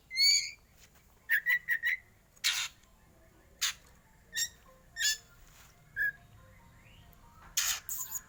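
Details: Black oriental magpie-robin, a competition winner with a "batuk" style song: scattered whistled notes and quick trills mixed with harsh, noisy bursts, separated by short silences.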